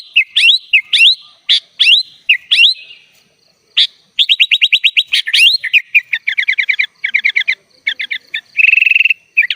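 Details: Kutilang (sooty-headed bulbul) singing gacor with full isian for training other birds: rising whistled slurs, then fast rattling chatter, a run of clipped trilled notes and a steady buzzy trill at the end.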